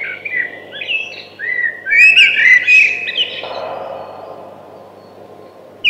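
A thrush sings rich, varied whistled phrases, fluty notes sliding up and down with quick chirps between, over a soft steady background hiss.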